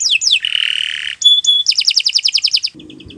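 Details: Canary song for tutoring other birds: two falling whistles, a long harsh buzz, two sharp bright notes, then a brisk trill of doubled high notes ending with soft chips and a low rattle.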